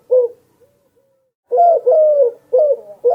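Soft, low, hollow coos from a mourning dove: one brief note, a pause, then a string of longer mellow hoots sliding slightly downward. No other sounds.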